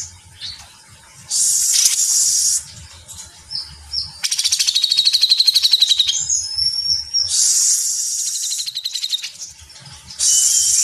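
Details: Grey-cheeked Bulbul, kept bird, gives harsh hissing bursts and a fast, dense chatter of high rattling notes, about four per second, with short quiet gaps between phrases.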